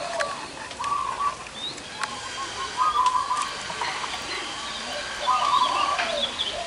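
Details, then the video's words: Zebra doves with big and small voices gathered in one place, short trilled cooing phrases spaced a few seconds apart, with lower soft coos, faint chirps and scattered clicks. "PERKUTUT SUWARA BESAR DAN KECIL NGUMPUL DI LOKASI INI"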